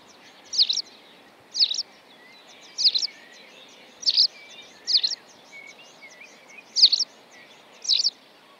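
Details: Great crested grebe with chicks at Tovačov ponds, Czech Republic, 2013–2014: high, shrill piping notes repeated about once a second, some in quick doublets, with faint whistles underneath.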